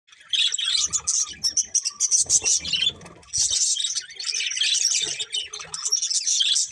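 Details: Budgerigars, a breeding pair, chirping: dense bursts of rapid scratchy warbling and twittering, high and busy, broken by short pauses, with faint low rustling beneath.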